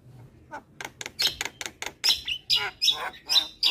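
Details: Javan myna song for tutoring raw birds each morning: a steady run of loud, harsh, noisy chirps and squawks, roughly two per second, carrying high whistled accents.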